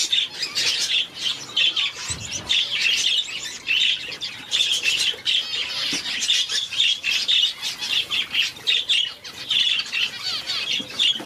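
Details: Star finch chicks two days old give a thin, high, wheezy chorus of rapid squeaks in pulsing bursts, almost without pause.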